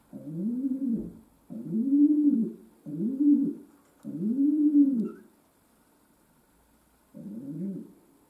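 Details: Pet domestic pigeon indoors repeating deep, bowed coos roughly every second and a half, a pause of two seconds before one final softer coo, faint camera hum.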